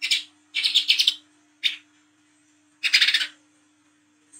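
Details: Sunbird of the 'wiceh trotol' type chattering at night, the 'ngriwik' style used to lure young coconut sunbirds: bursts of rapid scratchy high notes, a lone chip, then another stuttering rattle, steady low hum beneath.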